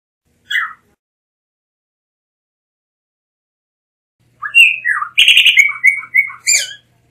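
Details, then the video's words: Blue mockingbird singing a rapid jumble of varied whistled and buzzy notes after a single short note and a long pause, phrases quickly alternating in pitch. "Mulato Azul Canto - Blue Mockingbird Bird Song"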